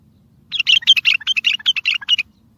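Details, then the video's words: Strong bulbul song used to set silent bulbuls singing and to lure other bulbuls for trapping: a rapid run of bright, chattering, slurred notes, about twelve in under two seconds, over a quiet low hum. "اصوات بلابل تغريد بلبل قوي ينطق الاخرس كذلك للصيد البلابل الاخرى يجيب البلابل البعيده"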